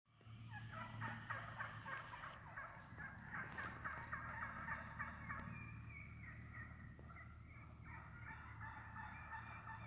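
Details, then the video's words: Wild turkey flock feeding through the woods, very vocal: dense overlapping clucks and cutting notes repeated several times a second, with softer purring calls mixed in and a steady low background hum. "Real Wild Turkey cutting, purring, clucking in the woods"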